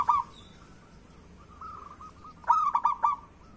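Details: Zebra dove (local perkutut) giving a lure song meant to set reluctant doves singing. One brief coo opens, then a soft rolling trill follows and a loud burst of rapid stuttering coos closes the passage.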